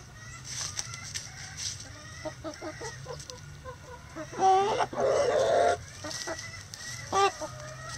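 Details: Chickens in a coop on a sunny day, giving short harmonic clucks and soft calls in loose bursts, with one louder drawn-out squawk in the middle and a low steady background hum.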